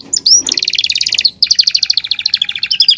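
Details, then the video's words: Belgian canary in song: a rising whistled slur leads into a fast, even trill of high notes, a brief pause, then another long rapid rattling trill held to the end. "canario belga cantando"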